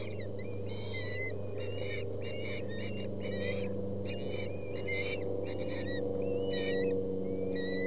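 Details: Osprey young squabbling over a delivered fish at their Boulder County nest, August 20, 2017. Rapid series of sharp, whistled chirps, about four per second, in clustered bursts over a constant low drone.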